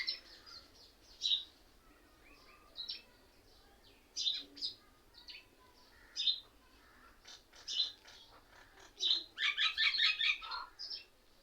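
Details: Many mynas perched together in one tree, described as mocking other birds; separate bursts of sharp chirps every second or two, ending in a longer, dense flurry of squeaky chatter.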